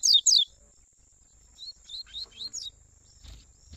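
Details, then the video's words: Double-collared seedeater, father and son, in tui tui style warm-up song for black and brown seedeaters: two loud, sharp, downslurred chirps, then after a pause a run of softer high slurred notes, with a steady faint high whine throughout. "Coleiro tui tui pai e filho o melhor Esquenta para coleiro preto e pardos"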